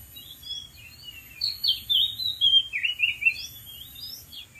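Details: Wild Oriental magpie-robin singing from a dead tree: a lively sequence of short, varied whistles and slurred chirps, quick and irregular, rising and falling, with low steady background noise.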